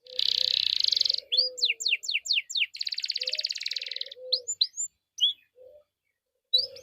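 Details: Canary lure song to get other canaries singing: a loud rolling buzz, a run of steep downswept notes, another long trill, then scattered chirps. Soft low warbles sound in the background.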